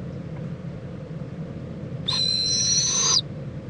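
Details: February 26, 2014, 11:45 AM in Indiantown, Florida, a mother owl checking on her owlet before preening it: after quiet hum, one sharp high screech of about a second, steady and faintly buzzy.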